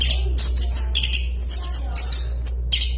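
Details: Actively singing orange-headed thrush delivers piercing high whistles and fast buzzy twitters in tight bursts, part of a long, loud rolling song; steady low hum in the background.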